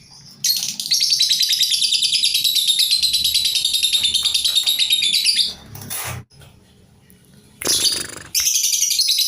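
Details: Kept lovebird, obedient to its owner and described as a hardy singer that keeps going whatever is done to it, though its song length has faded under basic care; dense, fast high chattering twitter, a brief break with rustling, then chatter resumes.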